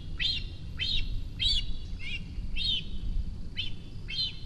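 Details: Begging cinereous vulture fledgling in its nest at Rascafría, Sierra de Guadarrama National Park, calling as the adult female approaches to feed it. There are seven piercing, arched squeals at uneven gaps of about half a second, over deep background rumble.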